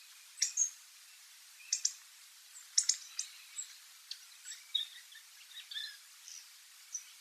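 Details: Wild Hawfinch recorded at a distance: sharp, high, clicking notes in short pairs and singles, spaced irregularly a second or so apart, with faint thinner chirps between them over a quiet background.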